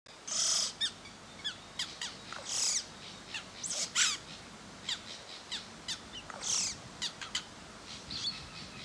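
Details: Crested oropendola (Psarocolius decumanus) at the National Aviary of Colombia, giving harsh, scratchy high-pitched bursts and sharp clicks at an irregular pace, about a dozen in nine seconds, over a quiet background.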